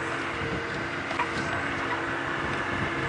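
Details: Continuous engine drone of a vehicle on a sunset safari drive with faint rattles and wind, no animal calls clearly heard.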